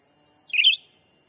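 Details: Black-capped bulbul lure call for attracting wild birds in a Sumatran forest: one brief, bright chirp that rises and falls quickly, over a faint steady high tone.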